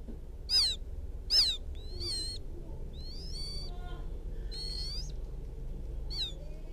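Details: Young field quail calling its mother: a few high, falling peeps and drawn-out thin whistles, fairly faint over a broad noisy background.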